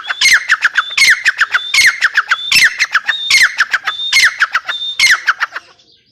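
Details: Female grey francolin (teetar) calling: about seven loud, harsh phrases roughly every 0.8 seconds, each opening with a high thin whistled note and then tumbling into a rapid run of descending, clipped squawky notes.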